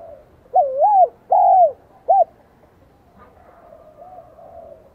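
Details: Spotted dove, sung in the high-toned 'giọng son' style from Vietnam. One phrase is heard: a wavering dipping coo, a long level coo, then a brief closing note, followed by faint distant cooing.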